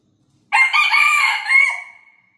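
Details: Australorp rooster crowing: one loud, harsh crow of several linked syllables, ending in a long drawn-out note that fades slowly, with a quiet background.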